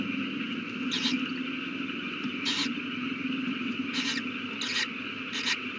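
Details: Owl at its nest with a newly hatched chick, 8:32 pm on 18 April 2019; five short, harsh, hissy bursts come at irregular intervals of about one second, over a steady droning hum.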